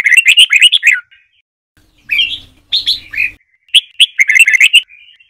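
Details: A red-whiskered bulbul delivers long Trà My style song for training birds: fast, lively, chirping phrases broken by short gaps, the notes rising and falling in tumbling sequences.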